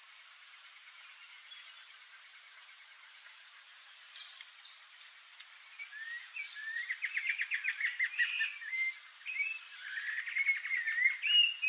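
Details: Rufous-bellied thrush nestlings in the nest give thin, high squeaky calls in quick bursts over a steady high insect whine, with lower chirping notes in the second half.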